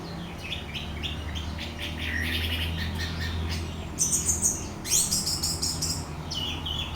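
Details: Orange-headed thrush song meant to stir another bird to sing: a fast jumble of high chirps and whistles, ending in louder buzzy rattled phrases, with a low hum throughout.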